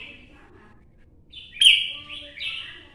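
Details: Red-whiskered bulbul, a mature wild-caught bird from Quảng Nam forest in Vietnam, gives one short, sharp warbled phrase after a quiet start, ending in a sliding note.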